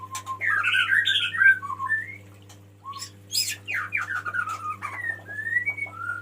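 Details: Male White-rumped shama singing to call the female: loud, varied phrases of rich whistles, slurred warbles and sharp chattering notes in rapid succession, with a short pause midway, over a faint steady low hum.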